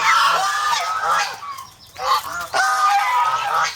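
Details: Domestic geese, a protective flock kept as farm poultry in the Philippines, give loud harsh honks in overlapping bursts, with a short lull near the middle before the clamour resumes.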